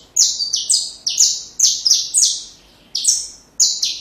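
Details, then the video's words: Saffron finch song, recorded for teaching young birds: bursts of high, buzzy, slightly falling notes, each stepping down in pitch, delivered in quick paired runs with a short pause near the end. Background quiet. "Canário da Terra Canto Perfeito Para filhotes"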